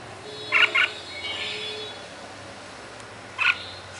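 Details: Red-whiskered bulbul giving short, bright whistled notes: a quick double phrase near the start and a single note near the end, over a steady faint background hiss.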